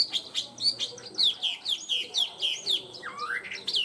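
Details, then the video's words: Tame caged hwamei singing well, pouring out rapid, pulsing high whistled notes several per second, closing with a long rising slurred phrase and more sharp notes. "Chim họa mi thuần hót tốt"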